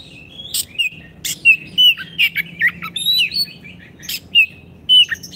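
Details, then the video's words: A lively Oriental magpie-robin, recorded to get caged birds singing again: short whistled slurs and twittering notes spaced by crisp clicks, roughly every half second, over a faint droning background. "Terapi Kicauan Kacer Gacor pas untuk masteran Kacer macet bunyi"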